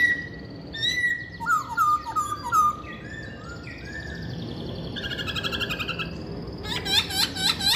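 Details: Chinese hwamei singing: clear whistled phrases, a sliding repeated note series mid-pitch, then bursts of buzzy high notes and a fast run of rapid chipping notes at the end.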